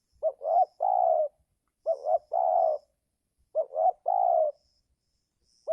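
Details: Spotted dove calling during the 'giring' season while wild birds are being lured down. A soft, low coo phrase of two short notes and a longer drawn-out coo repeats about every 1.7 seconds. Faint high chirps sound in the background.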